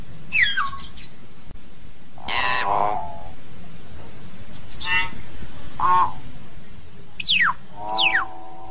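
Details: Common hill myna singing to call the flock: a varied series of steeply descending whistles, harsh broad squawks, nasal honking notes and short mid-pitched calls, delivered in bursts every second or so over low rumble.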